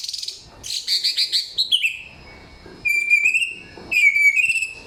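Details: Loud, clear samyong song with a rapid run of high chirping notes, then a pause, followed by two sustained whistled phrases, each sliding gently upward with ornamental flicks at the start.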